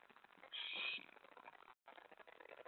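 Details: Owl at a nest, 24 May 2017 around 1:15 AM, during mouse and rat deliveries: one loud, raspy hiss-screech of about half a second, then a brief gap in the background noise.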